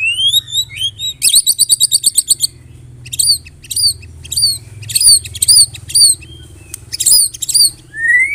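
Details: Murai batu of Medan type, the white-rumped shama, delivering a screaming, tightly packed kretekan used as morning masteran for tutoring birds; rapid high rattling chatter, repeated sharp downslurred notes and rising whistles, low hum in background.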